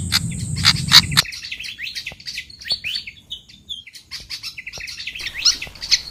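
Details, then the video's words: Pied fantail lure calls: a harsh, noisy burst with loud clicks for the first second, then quick high chirps and short upslurred twitters, thinning briefly before another dense flurry. "Suara pikat kipasan ribut"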